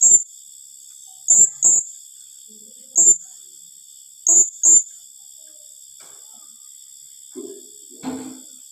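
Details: Shrill 'tembakan rapat' calls of a blue-crowned hanging parrot: paired and single piercing, very high notes repeated every second or so, each with a faint low thump, over a constant high insect drone and some low rustling.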